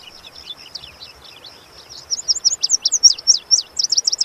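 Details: Lazuli bunting singing, a bird of shrubby hillsides in western North America. Soft, scratchy high notes give way to a loud, fast run of sharp chirps and downslurs, repeated quickly to the end.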